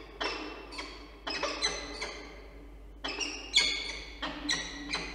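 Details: Peregrine falcon pair meeting at their nest in Orange, New South Wales, Australia, 16 April 2024: short bursts of harsh, rasping notes in two clusters separated by a brief pause, quieter than a close call.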